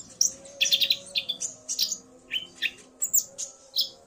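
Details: Male common iora stirred into song by a female's call, the pair calling alternately; spaced high chips and whistled notes, some dropping in pitch, with short gaps between them.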